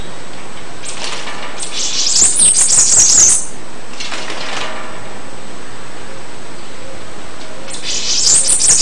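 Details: Bananaquit delivering high, sibilant, buzzy trilled phrases: a long one of about a second and a half, then a second phrase starting near the end, with soft background hiss between.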